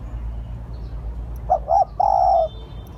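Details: A single spotted dove phrase for luring: two short soft coos followed by a half-second drawn-out coo, after a stretch of low hum and quiet.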